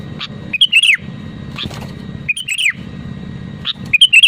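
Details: Sooty-headed bulbul singing to trigger song in other bulbuls. Three brief phrases of liquid whistles, each ending in a downward slur, arrive about every one and a half seconds, with a faint low hum behind.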